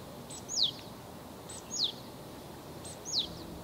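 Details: Japanese tit: three thin, sharply falling whistles, each preceded by a faint high tick, spaced a little over a second apart against steady background hiss.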